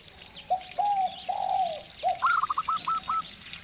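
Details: Local zebra dove singing against a spotted dove decoy bird: mellow whistled coos, then a quick staccato run of short, bright notes, with a faint insect-like hiss behind.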